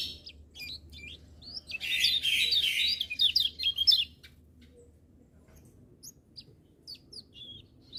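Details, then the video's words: Lemon-bellied white-eye in lively song, with other birds joining in: a burst of rapid, high, jumbled twittering phrases in the middle, then scattered short sharp chirps over a faint low hum. "Kecial Kuning Gacor Dengar Suara Kecial Kuning Ini Burung Lain Pada Ikut Bunyi"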